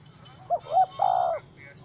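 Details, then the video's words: Angry wild spotted dove (Spilopelia chinensis) held in a small rope trap, 04/07/2017, giving a brief clipped note, a rising coo and then a drawn-out level coo, over a quiet low background hum. "Sound Of Angry, Wild Bird Trap With Small Rope: Birds Spotted dove(Spilopelia chinensis)"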